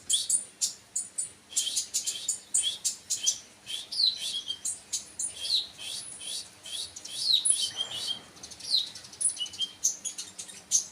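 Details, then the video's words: Long run of high, sizzling chirps and short whistled flicks from a kolibri wakul sunbird, repeated in quick irregular bursts without pause. "burung konin mu denger ini langsung yaut"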